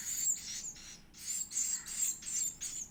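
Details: Edible-nest swiftlet; begging call; chick begging for food while being fed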